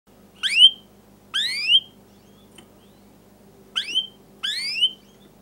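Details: A canary gives four quick bursts of bright, rising whistled sweeps with short pauses between them, over a steady low hum; the song is a tutor recording to get young canaries to learn to sing and answer.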